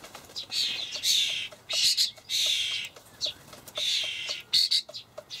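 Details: Young common starlings being fed dried buffalo worms by their parents in a Hamburg allotment garden, 28 May 2012. Harsh, hissing rasps come in bursts of about half a second, with faint soft ticks in the pauses.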